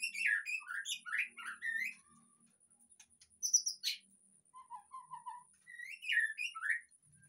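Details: White-rumped shama singing as a lure to get a sulking caged bird to sing out; quick looping whistled notes, a sharp high burst, soft lower whistled phrases, then more bright swooping whistles.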